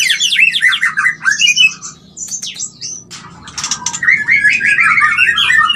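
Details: White-rumped shama mating call for stimulating mating: busy tumbling whistles and squeaks, a quieter stretch, then a rapid string of warbled notes.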